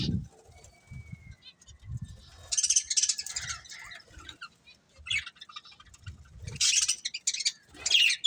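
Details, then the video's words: A breeding pair of budgerigars chirping: scratchy, high bursts of warbled chatter, a thin steady whistle early on, and low thumping sounds throughout. "Cute Budgies Chirping Sounds"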